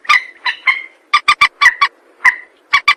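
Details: Rail lure recording: slurred, buzzy calls with trailing drawls alternate with crisp, separate clipped notes, about a dozen sounds over three seconds.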